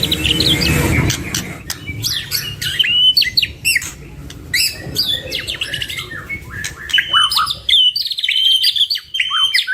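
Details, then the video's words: Two white-rumped shamas in a training recording meant to prompt birds to sing. Rich, varied song of high whistles, rapid trills and sharp chirps, with a rough, noisy burst at the start and a steady low hum beneath. "Duo GACOR !! Burung MURAI BATU Full isian MASTERAN PANCINGAN"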